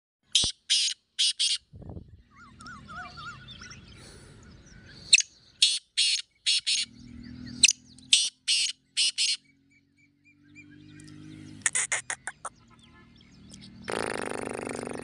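Black francolin giving harsh, grating phrases of three or four rasping notes, repeated every couple of seconds, over a low hum, faint chirps and a closing rush of noise.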